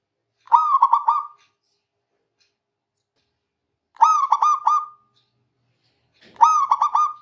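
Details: Song of a local zebra dove calling its rivals: three matching cooing phrases, each a rapid run of four or five rolling notes, repeated roughly every three and a half seconds in a quiet setting.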